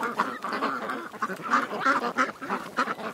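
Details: Ducks at a creek, a flock calling together: harsh, nasal quacks overlap in quick, uneven bursts, several each second, with a few louder honking notes standing out near the end.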